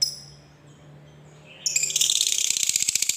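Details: Lovebird kept as a fighter bird, giving the long chattering trill called ngekek panjang: after a quiet start, a sudden burst of shrill, high, rapidly pulsed chatter that runs fast and steady to the end.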